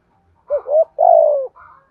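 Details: Decoy spotted dove calling to lure wild doves on a rainy, windy morning: a short double coo followed by a longer, drawn-out falling coo, then a faint trailing note.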